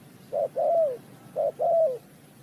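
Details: Two clear cooing phrases from a spotted dove at a bird-trapping site in Ninh Thuận, each a short low coo and then a longer note sliding downward, over quiet background.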